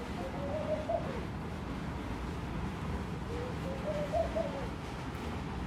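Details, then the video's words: Soft rolling coos of a Laughing dove that came to a room window, two bubbling phrases of quick up-and-down notes about three seconds apart, over low steady hum. "Sound of the Laughing Dove"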